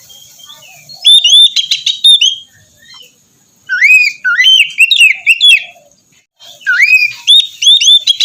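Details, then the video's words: Oriental magpie-robin song to lure a quiet bird into full song: three bursts of rich whistling separated by pauses, each mixing upslurred whistles, level notes and quick crisp clicks and trills. "terapi pagi cocok untuk mancing kacer malas bunyi agar cepat gacor"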